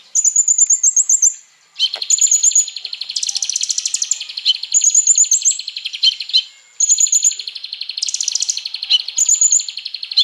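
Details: Konin, the Crimson Sunbird, singing loudly as a training lure for other birds. Dense buzzy trills alternate with clear high whistled phrases, the pattern repeating in bursts with a brief pause near two seconds.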